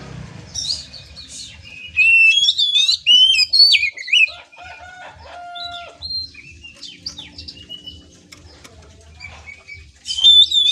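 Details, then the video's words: Varied Oriental magpie-robin song for building a trotolan young bird's nerve: rich warbled and slurred whistles, some rising and falling, with long pure held notes mid-phrase, quieter jumbled notes after, then a loud burst at the end. "Melatih mental kacer TROTOLAN dengan suara ini"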